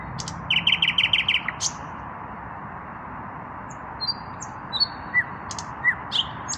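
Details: Unpaired male common nightingale singing at evening: an opening rapid burst of six ringing repeated notes with a sharp final stroke, a long silence, then scattered thin high whistles and short upslurred chips.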